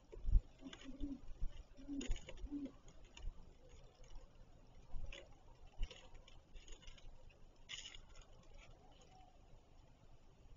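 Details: One of two Great Horned Owls at their nest gives three soft, deep hoots, each under a second apart, followed by scattered rustling and scratching sounds.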